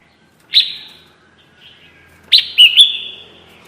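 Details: Red-whiskered bulbul call used to lure birds into traps: a loud sharp chirp with a drawn-out tail, then a rapid triple chirp with slurred whistled notes.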